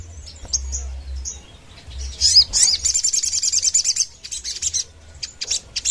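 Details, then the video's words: Sogon delivering a very high, rapid chattering song of sharp repeated notes in quick bursts, over a low background hum; kept as a lure and master tutor song. "Suara Sogon gacor nembak ngerap"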